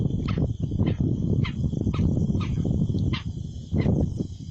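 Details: A Sindhi black francolin gives harsh, grating clicks in a quick broken series, with a steady high hum and heavy low rumbling noise underneath.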